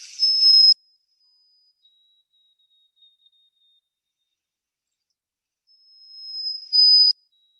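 White-throated Sparrow adult song: pure, steady high whistles, the first ones loud, then a fainter lower note, ending with a swelling whistle that grows louder.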